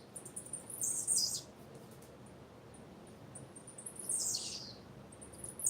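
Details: Female blue-black grassquit giving two bursts of high, thin, falling chirps about three seconds apart, with faint short peeps in between and low steady hiss.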